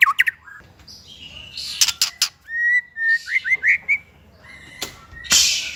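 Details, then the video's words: White-rumped shama singing for training young shamas and ones that stopped singing: short chirps, clicks, repeated level whistles with upslurred notes, and scattered sharp ticks against a soft background hiss. "MASTERAN MURAI BAHAN DAN MURAI MANDEK ( shama bird singing )"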